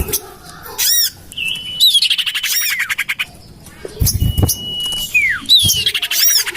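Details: Common iora lure call tested in a garden near a house: short chirps, level whistles and fast buzzy trills with falling slurs, with a brief low thump midway.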